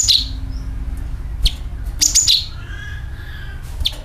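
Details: Sooty-headed bulbul calling in a lure recording: crisp high chirps and short twittering phrases with sharp clicks between them, plus faint low hum.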